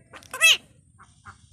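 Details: Parrot giving a short, bright mewing squawk that arches up and down, followed by two faint soft notes. Bengali speech is heard around it in a home setting.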